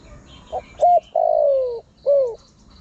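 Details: A single spotted dove phrase for luring wild birds: a soft short note, a brighter short note, then a long coo sliding gently downward and a final shorter arched coo, with faint high background hiss.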